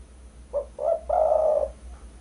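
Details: Spotted dove, known locally as derkuku, used as a bird-luring call: two brief low coos leading into a longer, sustained, slightly wavering coo.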